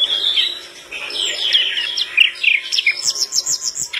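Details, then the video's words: Flycatcher singing strongly, said to make other birds answer: rambling mid-to-high chirps and slurred notes that speed into a rapid series of short high ticking notes toward the end. "Sikatan londo gacor bikin burung lain langsung ngrespon"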